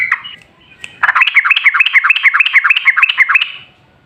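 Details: Yellow-vented bulbul long-run song, used as a lure to make other bulbuls sing: after a faint opening note, about ten bubbly, rising-falling notes repeat quickly for over two seconds, then fade.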